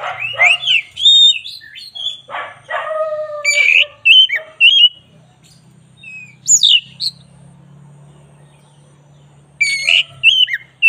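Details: Energetic song from a black-breasted Oriental magpie-robin for bird training: harsh, squawky notes mixed with whistles early on, a quiet stretch with low steady hum, then renewed sharp whistles.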